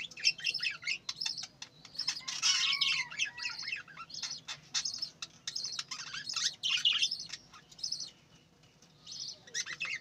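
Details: A flock of farm-bred budgerigars in steady, dense chatter, overlapping high chirps and warbles running continuously with barely a pause.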